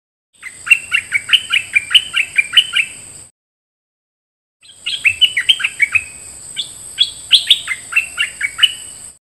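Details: A decoy bulbul gives two bursts of quick, bubbly chirping notes, about ten to a phrase, over a steady high ringing hum.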